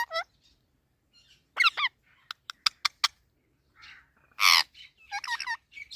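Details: Indian ringneck parakeet talking: warbled whistles and sharp clicks, then a loud harsh screech, followed by more bubbling, wavering whistled phrases.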